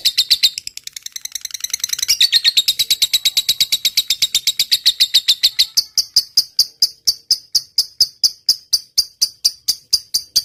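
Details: Lovebird singing vigorously in the long 'ngetik' (typing) style, used as a training recording: a rapid series of sharp, high chirps that starts irregular, then settles into evenly spaced ticks that grow steadier toward the end.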